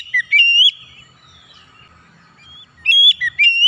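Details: Oriental magpie-robin song used as therapy to make stressed or silent magpie-robins sing: bright whistled phrases with quick upward slurs, then a long soft pause before another burst of ringing notes.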